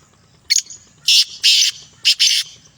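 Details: Sindhi black francolin calling with loud, hoarse, scratchy notes: a short sharp opener followed by two drawn-out buzzy phrases, then a short note and a longer grating one, all within about two seconds over a faint low hum.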